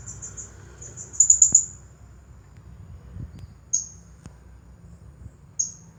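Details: Champion Blue-crowned hanging parrot in 'nagih hutang' style: one quick run of thin, very high chirps, followed by two isolated sharp single notes several seconds apart, with a faint low hum.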